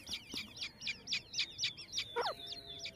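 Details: Grey francolin family foraging in jungle: a steady run of short, high, sharp chirps, about four each second, with one lower, downward-slurred note late in the sequence.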